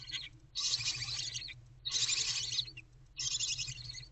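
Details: Barn owl owlets in a nest box before dawn, 4:08 to 4:15 am on 11 February 2024, while their mother is away: three harsh, breathy hissing screeches, each about a second long, separated by short pauses over a low steady hum.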